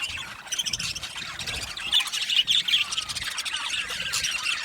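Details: Aviary colony of budgies, Australian parrots, chattering in a thick overlapping chorus of squeaky chirps and buzzy warbles with brief louder squawks.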